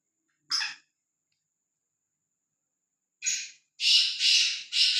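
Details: Fearless free-roaming black francolin: a single short rasping note, a long pause, then a burst of four harsh grating phrases rising in loudness.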